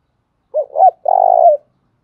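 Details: Decoy spotted dove with a 'đồng' voice, cooing to draw wild doves to respond quickly. One crisp phrase of two brief mellow notes runs into a sustained, fast-pulsing coo that dips in pitch as it ends, in an otherwise quiet setting.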